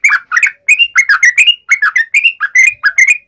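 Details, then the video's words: Bulbul challenge song for triggering responses: quick paired and triple slurred chirps in a lively, uneven rhythm, no other sounds. "trucukan gacor TARUNG NGALAS UPLIK ROPEL ini PALING AMPUH bikin burung trucuk gacor NYAUT SEKETIKA"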